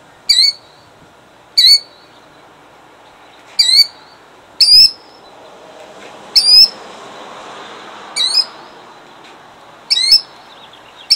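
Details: Female killdeer defending her eggs at a roadside in Jackson, New Jersey, 2008, with a person about five feet away and motorcycles passing: shrill, high, sharply inflected alarm notes at uneven one-to-two-second intervals over soft hiss.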